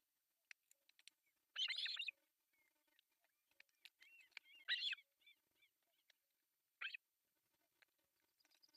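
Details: Osprey family on an artificial nest in Pohjois Satakunta, Finland, during breakfast feeding of three chicks on 1 July 2024, from a nest cam: three loud, harsh chattering bursts separated by a few soft upslurred notes.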